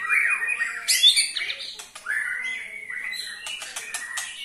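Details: Ketrekan of a white-rumped shama, meant to push other shamas into singing: rich slurred whistles opening loudly, then a steadier whistled phrase broken by sharp clicking rattles near the end.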